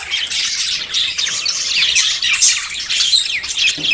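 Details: Budgerigars courting and about to breed, a dense continuous chatter of warbled chirps and squawky notes, all high-pitched and overlapping, with no pauses across the clip.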